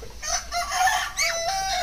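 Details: Young, plump farm-raised chickens giving short harmonic calls, a pair of hoarse, wavering notes followed by a longer, slightly falling note, all fairly loud over a faint background hum.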